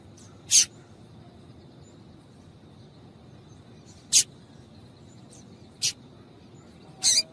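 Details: Female double-collared seedeater calls, played to excite males so they keep singing: four short, sharp, high chips spaced irregularly over several seconds against a quiet, low hum.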